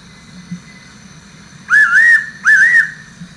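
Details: Double whistle of a fairy pitta: two loud, fluty, wavering notes close together after a short quiet stretch, set against a low continuous hum and a faint high steady tone.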